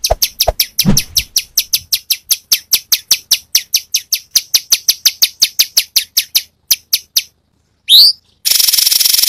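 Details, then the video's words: Gacor cucak cungkok song full of tembakan bursts, used as masteran for songbirds: a long run of sharp, evenly spaced high chips about five per second, fading, then a rising whistled slur and a harsh buzzy burst. "Cucak Cungkok burung masteran Full variasi Tembakan"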